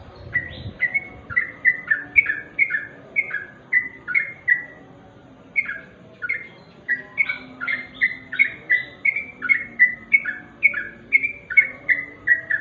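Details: At twilight a sooty-headed bulbul sings a long steady series of bright, bouncy two-part notes, each falling then lifting, delivered about twice per second with one short break midway.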